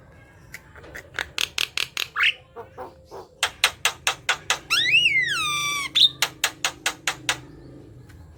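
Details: Javan myna singing nonstop to stir quiet mynas into song: quick rasping chatter notes with a few rising squeaks, a bright arching whistled phrase in the middle, then more rhythmic harsh notes.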